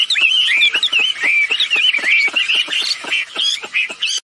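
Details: Active calling of female and male wambi birds, used to draw other birds into calling: fast varied whistled chatter with slurred up-and-down notes and frequent clicks, about three notes per second.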